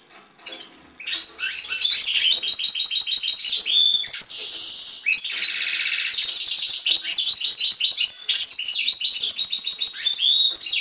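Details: Caged European goldfinch singing: a rapid, continuous high twittering of tinkling trills, buzzy notes and liquid whistles, with a few drawn-out nasal wheezes in the middle, running almost without pause.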